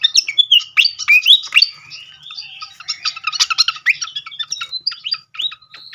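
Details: Srikatan kipas (fantail flycatcher) lure song used to make birds respond: a busy run of high twitters, a long thin rising whistle, then more rapid chips and short whistled phrases.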